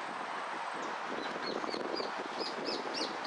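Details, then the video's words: European goldfinch in a singing contest, placing fifth in the repique category, dated 12 02 12: a run of short arched whistled notes, repeated about three times a second and growing louder, over steady broadband noise. "5to puesto en blanco de repique"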